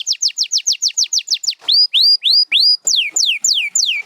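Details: Canary song: fast series of downward-sweeping whistled notes, then slower rising upswept whistles, then loud falling slurred notes, each phrase repeated several times in quick succession.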